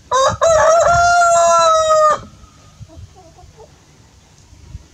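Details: Rooster crowing in the morning: one loud, drawn-out crow lasting about two seconds, opening with short choppy notes and then a steady, held, harmonic-rich tone that drops away abruptly, followed by quiet with a few faint soft clucks.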